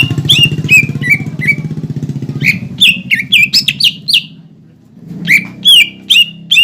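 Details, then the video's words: Cucak ijo song used as a lure to provoke young and newly caught birds into singing: loud sharp whistled notes with downward-sliding tails, in quick bursts, over a low engine-like hum and faint voices. "PANCINGAN CUCAK IJO BIAR EMOSI BUAT CUCAK IJO TROTOLAN MUDA DAN OMBYOKAN AGAR BUNYI"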